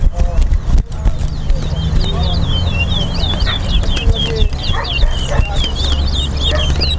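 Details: Towa towa song during a singing race at a bird ground on Lamaha and Vlissengen Road, Guyana. Brisk chains of short whistled slurs carry above a constant low drone, voices and background music.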